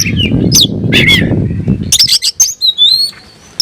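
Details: Oriental magpie-robin spreading its tail and singing to call an opponent to fight; a few sharp whistled and harsh notes over low rumbling noise, then clear rising whistles and a long thin whistle toward the end.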